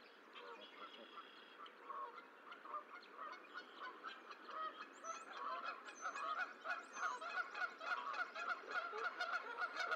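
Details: Geese at the Decorah eagle nest on 14 April 2024 as the sixth and last goose egg hatches. Harsh, nasal honks start sparse, then grow louder and more crowded, repeating roughly once per second with overlapping callers.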